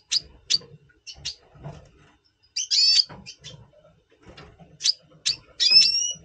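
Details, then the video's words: Double pastel red siskin singing before the breeding season, November 2023: quick high chips, a loud buzzy chattering phrase, more chips, and a closing long nasal wheeze, over faint low noise. "Red Siskin 🦩Double Pastell 🔥FeuerZeisig before Breeding - Voice Brutstimmung"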